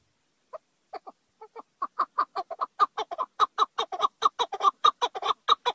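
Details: Chukar partridge calling: harsh clucking notes start sparse and hesitant, then speed up into a steady, rapid chattering series of about four to five notes per second.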